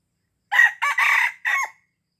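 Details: Aceh red junglefowl giving its lure crow for attracting wild birds: four hoarse bursts delivered in quick succession. The longest burst is in the middle and the final one dips in pitch, with no background sound.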